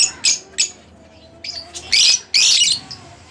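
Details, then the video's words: Split blue Fischer's lovebird, a pet bird, giving a few sharp, high squeaky chirps in short bursts, then two longer harsh, scratchy chatters toward the end, with quiet pauses between. "lovebirds chirping | singing Sound"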